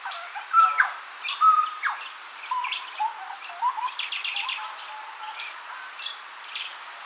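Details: Young Grey Butcherbird at a garden fountain, replying to other birds' territorial calls with two clean, level piping whistles early on, followed by quieter warbled notes and a quick burst of stacked chirps.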